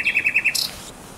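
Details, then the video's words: Short burst of common nightingale song, Żerań Canal, night of 23/24 April 2022: five loud, bouncy repeated notes, then a brief harsh, high buzz. "Śpiew słowika rdzawego"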